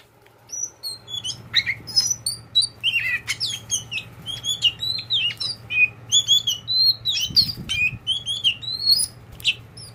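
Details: Tame kacer poci oriental magpie-robin kept as a pet singing a fast, varied run of bright whistles, chirps and sliding notes, phrases packed closely for ten seconds over a faint low hum.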